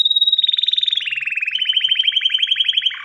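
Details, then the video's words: Male canary calling a female for mating: a steady high whistled note flows into a rapid pulsed trill that gradually slows into distinct beats before a lower closing buzz. "تغريد كناري ومناداة للتزواج"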